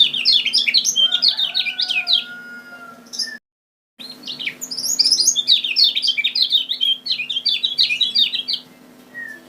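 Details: Lemon-bellied white-eye from Lombok, a lure bird, singing two long bursts of quick, high, zigzagging chirps separated by a brief cut, with a faint thin whistle between phrases.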